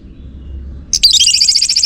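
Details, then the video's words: Orange-headed thrush lure song for drawing a reply from males: after silence, a dense, high, buzzy, trilling phrase of about one second begins abruptly and continues to the end. "Ga Bunyi Dengan Pancingan Burung ANIS MERAH Ini dipastikan Itu Burung Betina, Jantan Pasti Nyaut"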